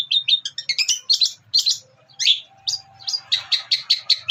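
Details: Long-tailed shrike (cendet) singing a varied mimicry master song: quick high whistled and chirped notes in a busy tumbling sequence, a brief slurred squeal midway, and a faint low hum beneath.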